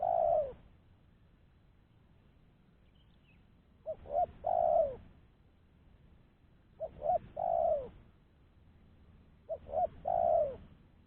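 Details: Spotted dove calling as a lure for trapping other doves, a clean, confident caller: three repeated phrases, each two short low coos then a longer falling coo, about every three seconds, over a faint low background hum.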